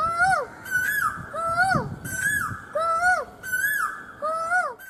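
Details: Asian koel, seen from a terrace in the evening, giving clear, rising two-part whistled notes in overlapping series, each swooping up then dropping, under a faint background hum.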